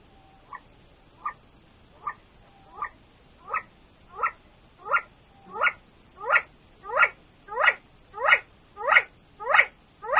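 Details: Male chukar partridge, called keklik, in Tajikistan in 2020: harsh chuck notes repeated about every 0.7 seconds, starting soft and thin, then growing steadily louder and fuller over ten seconds.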